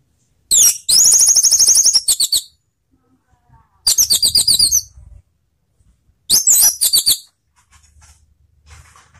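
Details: Lure song of an orange-headed thrush for stimulating other thrushes: three bursts of very high, fast chattering and twittering notes in rapid stuttering runs, with pauses of roughly a second between them and faint low background noise.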